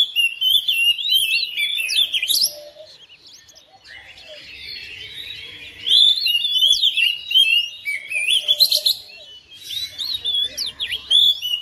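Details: Caged oriental magpie-robin answering another bird within seconds, delivering loud runs of varied whistles, rapid trills and harsh chatter, with a quieter gap in the middle before the singing resumes.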